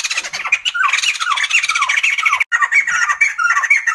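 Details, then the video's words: Sumatran laughingthrush giving rapid harsh squawks and sliding whistled notes in a laughing babble, with a brief break halfway through before squeaky chatter continues. "Sumatran laughingthrush | The sound of birds laughing"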